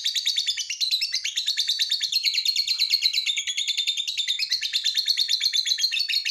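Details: Lovebird in long ngekek trill, used as a lure so other lovebirds join in singing: continuous loud, rapid chattering of harsh notes with wavering pitch, unbroken for over six seconds.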